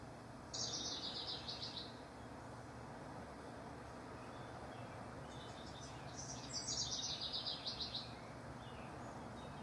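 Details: Competing house wrens, June 12–24, 2015; two separate bursts of fast, rattling, bubbling song several seconds apart, each a cascading string of high chattery notes over a steady background hiss.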